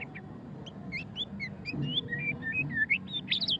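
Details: White-rumped shama, called murai batu, singing ngeriwik style: a fast, even run of short whistled chirps with rising and falling slurs, over a low background rumble.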